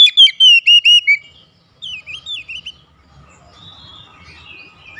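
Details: Home-kept Oriental magpie-robin in daily therapy, singing actively in gacor style: a fast run of six loud whistled notes slurring downward, then a softer burst of four rising-falling whistles, followed by quiet background murmur.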